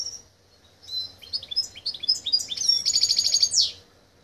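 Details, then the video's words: Silver goldfinch x canary mule from Greece, 2023, sings a high phrase: a run of short sweet whistled notes rising and falling, then a rapid metallic trill and a final sweeping note, over a faint low hum. "Καρδερινοκάναρο Silver - Ελλάς 2023 | Silver Goldfinch X Canary Mule - Hellas 2023"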